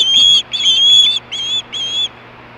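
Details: Osprey screaming for fish at Hellgate, 2014, late afternoon at 4:19 PM: four piercing whistled notes, the first two long and strong, the last two shorter and fading, then quiet.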